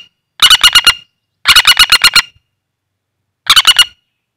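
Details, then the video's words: Wild common flameback caught by trapping and held in the hand, calling as a lure for trapping: three bursts of rapid, harsh, evenly spaced notes, each burst lasting about half a second, separated by silence. "Suara Burung Pelatuk Bawang Liar Cocok Buat Pikat"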